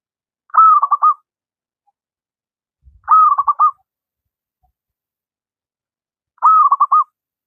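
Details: Three regularly spaced zebra dove phrases, each a held coo followed by rapid rippling beats, sung by a lively local wild bird as a master for doves that rarely sing.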